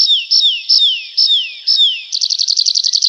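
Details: Nightingale song opening with five evenly spaced whistled notes, each dropping steeply in pitch, then breaking into a fast, rattling run of short high notes.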